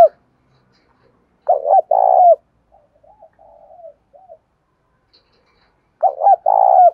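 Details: Cooing of a spotted dove, played to get other doves to coo. A loud burst of deep, rolling coos is followed by faint soft hoots and then another vibrant coo phrase about four seconds later.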